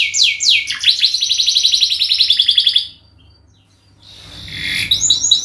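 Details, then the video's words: Canary singing a long training song used as a lure: fast descending whistled notes, then a rapid trilled series repeated about four per second, a short pause, and a burst of high chirps resuming. "masteran burung kenari gacor panjang untuk pancingan"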